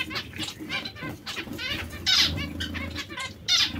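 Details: Zebra finches, captive breeding pairs: scattered nasal, honking notes and brief buzzy phrases, somewhat irregular, with low rumbling and fluttering in the background.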